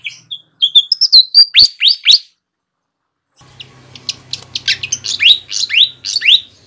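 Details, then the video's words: Flycatcher calls used for luring birds in the wild: a lively run of sharp chirps, then quick downward-sweeping notes repeated about twice a second, a brief pause, and another burst of fast descending sweeps over a low hum. "suara burung sikatan gacor cocok untuk mikat di alam liar"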